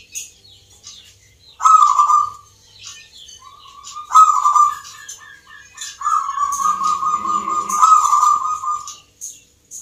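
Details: Zebra dove (local perkutut), caged, at a song contest for the Mentaraman rhythm style in Yogyakarta, Indonesia: rolling mid-pitched coos of about a second, three main phrases with softer coos between, over high chirping of other birds.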